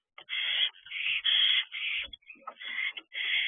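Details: Barn owlet at a nest box doorway practising wing flaps, 8:18 pm on 13 June 2023; nearly continuous rough, breathy screeching hisses in half-second surges, with a brief quieter break midway.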